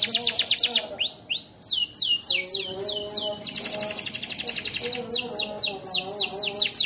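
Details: AF canary singing a loud, fast song filled with ciblek (prinia) imitations: rapid runs of high, sweeping downslurred notes, about four per second, with steady trilled stretches and fainter lower whistled notes beneath.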